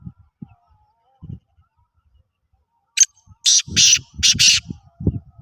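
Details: Black francolin, known locally as Sindhi kala teetar, giving a short burst of four loud, harsh, grating notes after a quiet opening, with low thumps and faint murmuring beneath.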